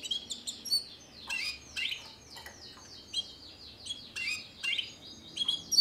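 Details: Timbrado Español canary from 2013, described as fast, metallic and powerful with distinctive song phrases, here giving a moderately loud jumble of sharp high chips, short sweeps and trilled notes with faint background hiss.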